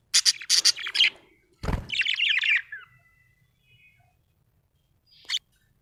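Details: Pet budgerigar, described as happy, giving short bursts of bright, scratchy high chirps followed by a warbling twittering phrase, then a brief chirp after a pause; a single knock sounds between phrases.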